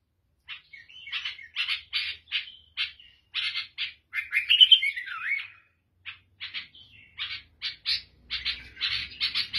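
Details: Long sequence from a Lebanese or Syrian bulbul with a black head: quick bursts of harsh chirps broken by warbled, sliding phrases, with a faint low rumble near the end.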